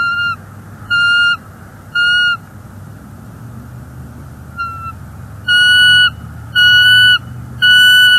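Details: On a January 2024 morning in Northeast Florida, an intruder eagle lingers by a bald eagle nest as the resident female calls. Sustained whistled notes recur about once a second, a pause and a faint note interrupting the series before it resumes louder.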